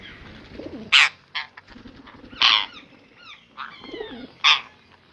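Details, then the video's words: Pet ringneck parrot screeching loudly about every one and a half seconds. Each harsh burst is followed by softer, falling squeaky notes and faint chatter in between. "Ringneck parrot"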